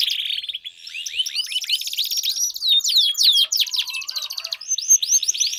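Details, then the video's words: Canary song meant to prompt a silent canary into singing: rapid, high chirps and sweeping whistled slurs in dense, uneven runs, with some buzzy trilled stretches. "Pancingan Ampuh Kenari Gacor Panjang, 4 Suara Burung Kenari Ampuh Untuk Pancingan Kenari Macet Bunyi"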